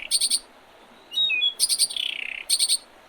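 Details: Birds singing in early spring beside the Oredezh River, Leningrad Oblast, Russia, 8 April 2023: rapid high triple chirps, a soft whistled phrase, then a fast buzzy trill that slides downward between chirp bursts.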